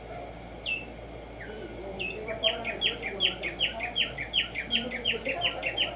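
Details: Wild black-striped sparrow (Arremonops conirostris), called tumba yegua: after a few isolated high notes, a sustained series of bright repeated chirps, roughly three per second, over soft background noise.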